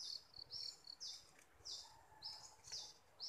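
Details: Bulbul used as a decoy bird for trapping, a newly caught bird praised for its fine voice; high, thin whistled phrases repeated about twice a second, with a faint lower note in the background.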